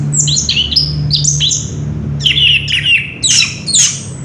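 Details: Orange-headed thrush recorded 3 March 2016, giving clear downward-sliding whistles in short groups, some paired or doubled, with a low electrical hum behind.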